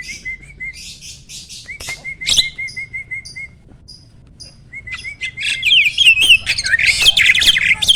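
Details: Mature male Asian pied starling, caged and in breeding condition, alternating quick pulsed whistles with scratchy rasps, then rising into a loud tumbling run of squeaky whistled and chattering phrases.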